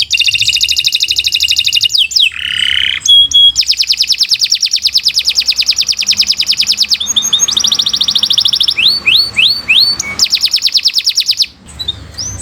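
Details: Canary song intended as master recording for training birds: extended rapid rattling trills interrupted by a buzzy low phrase, ringing chips and downward swoops, sustained almost without pause for over eleven seconds.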